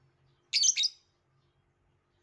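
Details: One loud, rasping chirp sequence from a violet lovebird lasts about half a second. A faint low hum follows, and a new burst starts at the very end.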